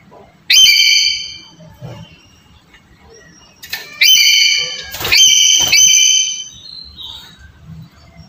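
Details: Harsh screeching of a black-capped lory, played to get a silent bird calling: a short loud screech, a pause of about three seconds, then three strident calls in close succession.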